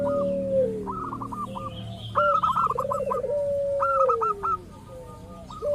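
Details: Local zebra dove, played as a lure to make rival doves answer: rapid runs of clipped, even notes repeat over a lower rolling trill that glides down in pitch, with two or more doves overlapping.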